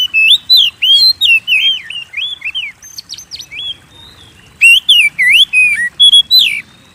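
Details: Shama song used as a lure for kept birds: two bursts of quick, looping whistled notes separated by a brief lull, rich and varied, with high sharp accents at the start of each burst.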